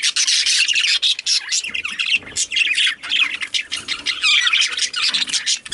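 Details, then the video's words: Chattering male budgies give harsh squawks and rapid raspy chirps in uneven bursts, with a few brief pauses. "Male Budgies/Parakeets"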